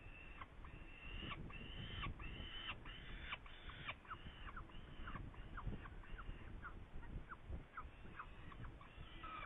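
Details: Saker falcon recorded in Hungary on 8 May 2019, with prey: loud, grating calls repeated about twice a second, each a short arched scream, continuing throughout against a low rumbling backdrop.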